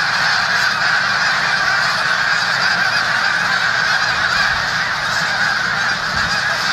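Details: Snow geese in the Musconetcong river valley, New Jersey, near the Delaware River: a dense, continuous chorus of overlapping high yelping honks from a large flock, steady and unbroken throughout.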